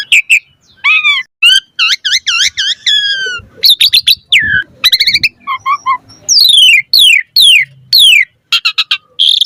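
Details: Asian pied starling in the pumping 'mompa' style with full variation, used as a lure to get birds singing: rising whistles, stacked harmonic notes, quick downslurs and sharp chips in bursts, with varied phrases and no other sounds.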